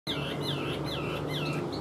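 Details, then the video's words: Caged Chinese hwamei, a large-bodied bird praised as a good singer, giving clear whistled notes that swoop down then up, repeated about four times in under two seconds over a low steady hum. "Ngũ trường bộ to, hót tốt, bóng bộ cực đẹp | Họat Họa Mi"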